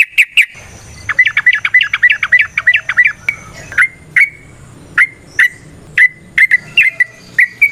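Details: Lively sooty-headed bulbul song in the 'nrotok ngecuplik' style: two sharp chirps, then a rapid string of about ten bubbly notes, followed by evenly spaced slurred whistles with short held tails, roughly one per second.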